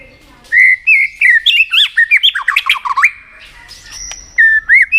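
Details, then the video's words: White-rumped shama singing in many voices, used to push another shama to sing in contests. A tumbling run of rapid warbled whistles and twisting notes, a pause with a faint click, then short whistled phrases. "Chòe lửa tạch đập đuôi kích thích lửa lên lửa rất nhanh kích chim hót đấu hiệu quả"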